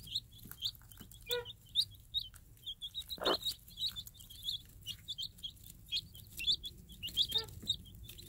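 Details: Free-range day-old chicks, Minorca x Isbar cross hatched under a tame game hen, peep constantly in high, rapid, downslurred cheeps, broken by a few brief lower, harsher notes from the flock.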